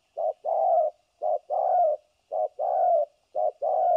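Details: Decoy spotted dove used in trapping, 3 December 2022, giving a rapid run of thổ cấn sấm nước coos, each a quick short note tied to a longer warbling coo, about one pair per second.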